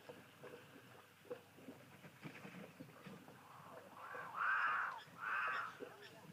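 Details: Cape crows calling on 31 March 2023, their call called quite ominous: after several seconds of faint rustling background, two loud harsh caws come close together near the end.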